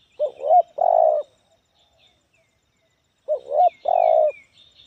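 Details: Spotted dove (tekukur) with a medium, loud 'Kuk 1' voice and many fill notes. A two-part coo, a quick wavering note then a long, even, resonant one, sounds twice about three seconds apart, with faint high chirps between.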